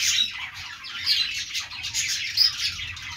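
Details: Budgerigars chatter in harsh squawks and thin warbled notes, a continuous scratchy babble with a few louder sharp calls standing out.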